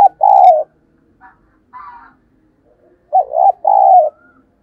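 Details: Spotted dove lure call to prompt doves to coo back. Two sets of mellow coos: a short lead note and then a sustained, slightly falling note. Faint chirps fall between the sets.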